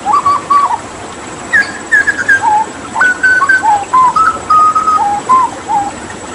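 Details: Papuan hooded butcherbird singing for water-therapy tutoring: clear, mellow whistled notes in a flowing phrase, some sliding slightly, level pitches alternating higher and lower, with brief pauses between notes and no other sounds.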